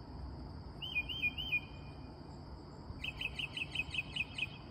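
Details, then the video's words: A mockingbird singing at night, almost without stopping, days after its tree was cut down. A short phrase of three looping whistled notes, a pause, then a quicker whistled phrase repeated about seven times, over a constant high insect drone. "Mockingbird Making Wide Variety of Sounds at Night"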